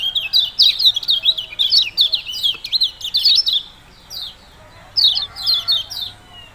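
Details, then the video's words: Yellow-bellied prinia giving its "ciak-ciak jos" call: a rapid string of sharp, down-slurred chirps for about four seconds, a short pause, then a few more separate chirps, with faint background hiss. "Ciak -ciak jos burung kecial kuning"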